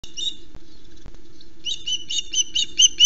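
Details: Osprey at a nest cam on Loch Arkaig, Scotland, around a fish delivery to the nest; after a quiet start, a series of sharp, high chirps follows at a quickening pace over a low steady hum.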